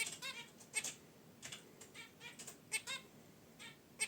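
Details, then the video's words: Rapid, clipped nasal honks and chirps from caged zebra finches relaxing near their wicker basket nest, repeated several times a second in uneven bursts. "Zebra Finches in Their Cage: Natural Chirps & Sounds"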